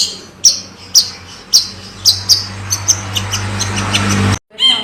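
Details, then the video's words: Long-tailed shrike from Java in lively song: sharp, high, emphatic notes about every half second, fading into softer chips over a steady low hum. A brief cut follows, then the notes resume. "Kicauan terbaik cendet Jawa gacor full isian jernih"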